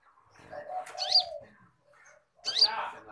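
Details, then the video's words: Konin singing for cage-bird training. Two phrases, each a low throaty warble that leads into a bright, high upslurred whistle. "masteran burung konin super gacor"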